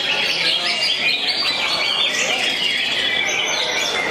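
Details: Greater green leafbird singing in the jangkrik balap style, with rapid cricket-like phrases. The twittering is dense and high-pitched, with fast chattering trills and short whistled notes running without a break over a busy background of other birds.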